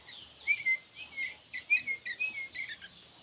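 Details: Young sooty-headed bulbuls calling: clusters of clear whistled slurs swooping down and holding steady, mixed with quick squeaky chirps in uneven bursts.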